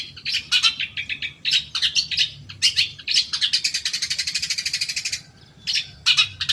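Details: Long-tailed shrike lure song aimed at caged birds: scratchy chattering phrases, then a sustained fast buzzing trill lasting about two seconds, a short pause, and more harsh notes.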